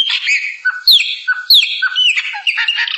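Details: Song of the chopi blackbird: paired sharp downslurred whistles with low steady notes between them, repeated about every 0.6 seconds, followed by warbling, gurgling phrases.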